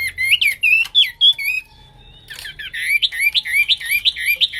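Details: Energetic Hwamei (wambi) song, quick repeated whistled notes about three per second, a brief pause with a thin held tone, then fast looping phrases resume.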